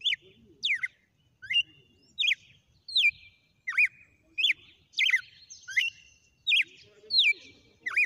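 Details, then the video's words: Red-cowled cardinal in a sustained song sequence, about eleven bright whistled notes, mostly steep downslurs with a few rising-falling ones, delivered roughly every 0.7 seconds against quiet low background hum. "Galo de campina na SEQUÊNCIA DE CANTO"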